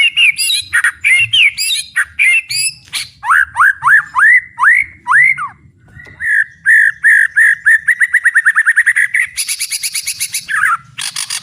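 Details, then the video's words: Loud, full-volume white-rumped shama song: looping whistles, then six ringing upslurred notes, followed by a long accelerating series of short repeated chirps building into a buzzy high burst. "ISIAN MURAI BATU GANAS❗TEMBAKAN MURAI BATU BUKA PARUH VOLUME PENUH POWER💥 SHAMA BIRD"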